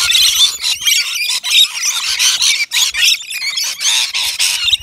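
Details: Native Australian rainbow lorikeets gathered at a nectar feeder on a balcony; overlapping shrill squeals and scratchy chatter pour out almost without a break, with a few soft knocks underneath.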